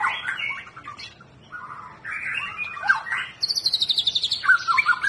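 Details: White-rumped shama song for getting a quiet bird to sing: buzzy warbled phrases, a pause, then a fast rhythmic trill of high repeated notes and a few bright whistled slurs.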